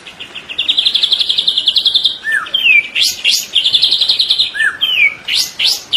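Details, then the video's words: Vigorous song from a young white-rumped shama (trotol): long rattling trills of rapid high notes alternate with a single clear down-slurred whistle and sharp sweeping chips, repeating in a similar pattern twice. "Murai batu trotol Gacor burung diam langsung nyaut"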